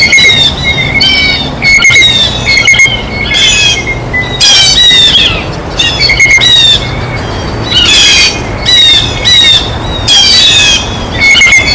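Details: Blue jays feeding at a feeder: repeated harsh, squawky calls in bursts about every second, with ringing whistled notes layered among them.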